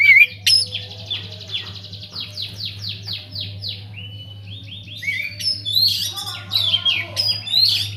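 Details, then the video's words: White-rumped shama singing energetically inside an aviary, used as a lure to get other birds singing: a long run of rapid descending whistled sweeps, then varied sharp chirps and high rising notes, with a steady low mechanical hum beneath. "cocok buat pancingan | BURUNG KACER GACOR DIDALAM UMBARAN"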